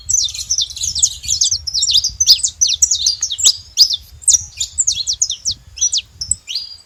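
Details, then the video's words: Saffron finches making a lot of noise at a feeder: a dense, steady stream of high, sharp chirps and short slurred notes that overlap almost without pause, with faint low rumble beneath. "Canário da terra fazendo muito barulho na seva"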